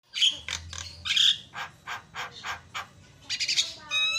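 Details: Javan pied starling song used as a lure to provoke other starlings: a fast run of harsh, rasping chatters, about three per second, broken by bright high whistles and ending in a buzzy trill.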